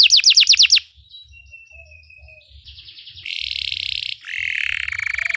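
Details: Belgian canary song used to train canaries: a brief burst of falling whistles, a thin whistled note, then buzzy rolling trills at varied pitch.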